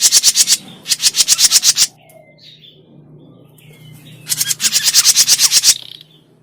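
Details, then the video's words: Grey-cheeked bulbul lure call for trapping: loud, rapid, grating rattles of evenly pulsed notes, a quiet pause with faint thin whistles, then another long harsh rattling burst, over low steady hum. "SUARA PIKAT CUCAK JENGGOT MINI"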